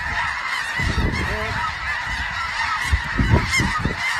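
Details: Snow geese calling, a dense overlapping chorus of honks from many birds forming a steady wash of sound, with a few louder low thumps near the end.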